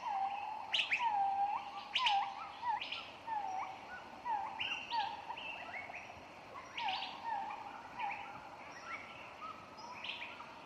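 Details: A female green-winged macaw living in the canopy at Plantasia Tropical Zoo, who loves to talk and get people's attention, gives a run of short, mid-pitched, slightly falling calls, roughly one or two each second, some with harsh, rasping starts, amid faint background chatter.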